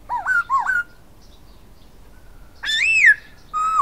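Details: Silver-eared laughingthrush as a decoy singer: two quick looping whistles, a pause of near silence, then a loud arched whistle and the start of a steady lower whistle.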